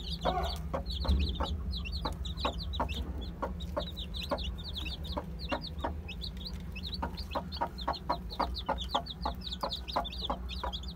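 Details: Many one-day-old chicks (Aseel, Heera, Java, Muska breeds) give dense, continuous high peeps in quick succession, with regular hard tapping clicks throughout and a constant low background hum.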